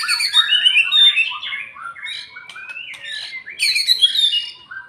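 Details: White-rumped shama after moult, its fighting mood being built gradually; loud scratchy chatter and whistles, a quieter stretch with a rising glide, then another harsh energetic burst before fading.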